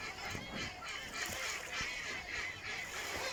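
A flock of ducks calls in overlapping nasal honks and quacks, several voices at once and roughly three per second, over a steady background hiss.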